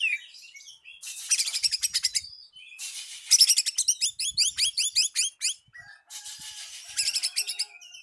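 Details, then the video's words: Oriental magpie-robin calling a rival with lure song: harsh, dense rattling bursts interleaved with runs of quick, repeated upslurred whistled notes, strong and continuous for several seconds. "Pancingan Burung Kacer Memanggil Lawan"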